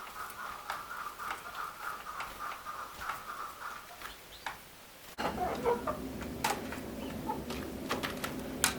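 A female chukar gives soft, clucking notes in a steady run, then an abrupt cut brings louder clicks and rustling noise.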